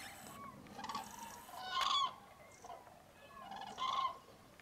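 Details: Common cranes calling in icy fog before sunrise at a large mid-January roost, Tablas de Daimiel National Park, Spain; two strong rolling trumpet calls stand out above a dense chorus of fainter flock calls.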